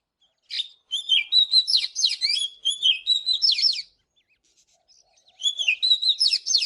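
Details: An Oriental magpie-robin sings in the morning, delivering a three-second string of sweet whistles mixed with sharp chirps, then a pause before the next varied phrase begins.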